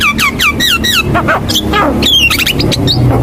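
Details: Javan myna song used as a lure (masteran) to coax young or quiet mynas into singing: descending whistled notes in quick succession, then scratchy rising phrases, over a steady low hum.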